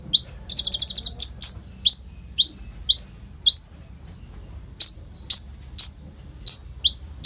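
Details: Olive-backed sunbird (kolibri ninja) singing as a lure for young untrained birds, phone-recorded; opens with a fast buzzy trill, then thin high rising whistles repeated roughly every half second, low background hum.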